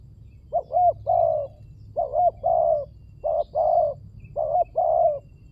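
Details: Spotted dove cooing used as a lure: four phrases, each a short looped note followed by a longer, slightly falling coo, about one phrase per second, with a faint low hum behind.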